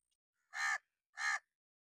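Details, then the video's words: Angry crow sounding alarm: two loud, hoarse caws in quick succession, roughly half a second apart, with nothing else audible. "how to crow angry mood Caw: A sharp, loud call, often used for alarm or warning."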